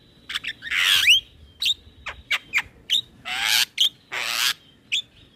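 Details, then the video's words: Male Javan myna in full song, used as tutor material for young mynas to copy: short harsh rasping bursts alternating with brief sharp clicks and a quick upward whistle, with a couple of longer hissing squawks. "Suara Jalak kebo Jantan Gacor Isian Buat Jalak Kebo Bahan Ikut Bunyi"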